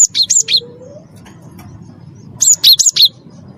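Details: Prize Cinereous tit used as a singing lure: two short bursts of three or four loud high whistled notes, separated by a quiet gap with a faint rising tone, over low background noise.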